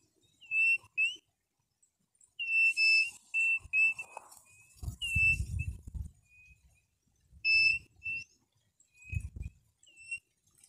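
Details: Quail calling: short, clear whistled notes, often in quick pairs, repeated in bursts with pauses between, alongside low knocking and rustling thumps.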